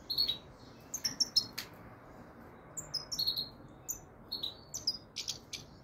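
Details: Goldfinch of the frigoris subspecies singing high, thin tinkling notes with quick twittering trills and clipped chips in short bursts separated by brief pauses, over a faint steady background hiss.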